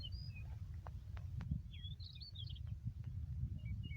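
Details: In a green meadow at Yakutsk on 4 June 2020, a yellow-breasted bunting gives a quick cluster of sweet, slurred whistles midway, with fainter high notes at start and end over loud low wind rumble and clicks.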